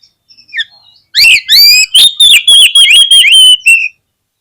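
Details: Oriental magpie-robin song used as a trigger recording to make other magpie-robins sing their full repertoire: soft scattered notes, then a loud run of rapid, ringing whistled notes, mostly one high pitch, with quick sliding chirps between them.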